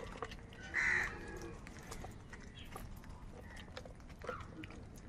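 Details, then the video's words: A single strong, hoarse caw early on, from crows squabbling over food, then only a faint second call and quiet background noise with a few clicks. "Crow sound of kaka |কাকের ডাক Crow Sound Crow ki Awaz Loudly"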